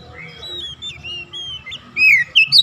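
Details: Oriental magpie-robin song used as a lure to prompt a silent bird to sing: soft, drawn-out whistles drift over a low hum, then louder, rising and falling whistled notes close the phrase.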